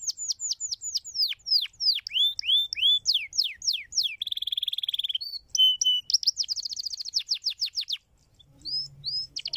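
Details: Canary singing to prompt other canaries to sing: repeated high down-slurred whistles, a long buzzy rattle, a fast trill, then a short silence and two rising whistles over a low hum.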